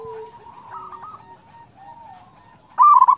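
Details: Local zebra doves singing to prompt others: soft wavering coos and a short trill-like phrase from overlapping birds, ending in a sudden loud stuttered coo.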